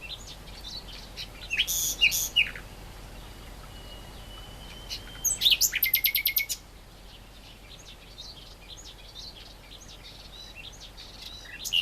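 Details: Great reed warbler song of harsh croaking notes, then a loud grating rattle of rapid pulses. Softer chirps of other birds fill the pauses.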